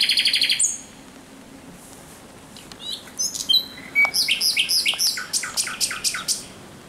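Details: At night on 17 May 2023 a thrush nightingale sings: a rapid high buzzy rattle, a pause with soft varied notes, then a loud run of repeated rising and falling whistled notes.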